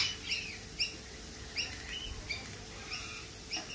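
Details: Lorikeets call with quick, shrill chips repeated at uneven intervals, some in pairs, over a quieter background of soft twitters.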